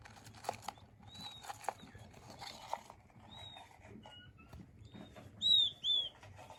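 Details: Soothing calls of king quail chicks: scattered soft high peeps and light tapping noises, ending with two loud, high, down-curving whistles in quick succession.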